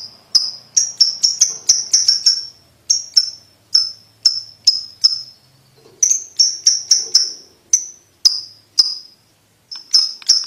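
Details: Repeated sharp, high lovebird ticks in loose bursts with brief gaps, a tutoring call for young lovebirds learning to trill quickly.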